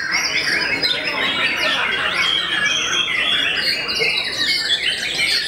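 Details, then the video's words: Continuous rich song of a white-rumped shama known for daunting its rivals: rapid whistled phrases jumping between high and middle pitches, chattering notes packed densely without pause. "MURAI YANG TERKENAL BIKIN NGLOWO BANYAK MUSUHNYA"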